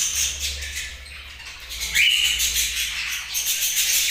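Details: A group of budgerigars chattering with buzzy, rasping warbles; a short rising whistle stands out midway through the continuous high-pitched chirping.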